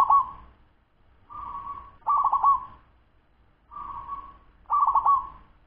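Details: A local wild zebra dove, 10 months old, gives fast song of alternating soft level purrs and louder stuttering bubbly trills that fade into a hum, about five phrases with short silent pauses between them.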